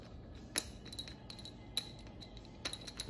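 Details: In a small room, soft clinks of glass and cutlery ring out at irregular intervals over a quiet background.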